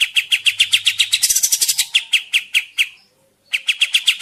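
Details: Energetic kapas tembak bird, its voice used to lure birds in the forest or to tutor caged ones; quick repeated chirps broken by a dense high rattling stretch, a half-second silence, then chirping again.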